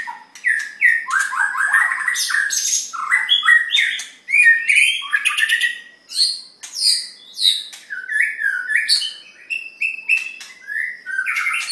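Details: Three white-rumped shamas sing a continuous, rich medley of fluty whistles, rising and falling slurs and harsh squawky notes, phrases tumbling over each other without pause.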